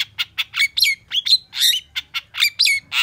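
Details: Long-tailed shrike singing fast and agitated in response to a rival: loud harsh chattering notes alternating with sharp whistled slurs, packed densely with barely a gap between phrases.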